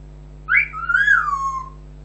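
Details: Pet African grey parrot whistling a sudden high note that drops, wavers back up and then glides slowly downward, lasting over a second against a faint hum.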